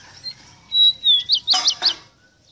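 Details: Ruddy-breasted seedeater, locally called Rosita or Meriño, singing a song used to teach captive birds: clear whistled notes sliding downward, then a quick run of four sharp, bright rising-falling notes.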